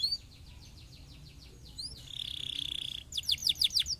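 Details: Singing canary, used to encourage lazy canaries to sing. It gives a string of slurred down-slides, then a sharp upsweep, then a steady buzzy rattle, and ends in loud, rapid falling notes repeated several times.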